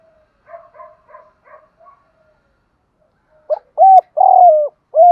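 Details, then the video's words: Spotted dove giving a morning lure call meant to provoke fighting. Four soft, low doubled coos fade out, then after a pause come loud, clipped hooting coos: a short note, a longer drawn-out one and another short note. "tiếng chim cu gáy mồi kích bổi buổi sáng kích bổi nhanh nổi [ thúc đấu + gáy gọi ] cu cườm gáy gọi"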